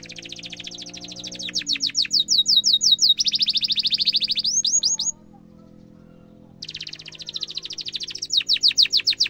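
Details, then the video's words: Canary singing long gacor song, a ngerol roll used as a master for young canaries: rapid series of sharp descending whistled notes, a dense buzzy trill, a brief silence, then more fast chirping strings. "kenari gacor panjang cuit cuit emosi, pancingan kenari paud belajar bunyi"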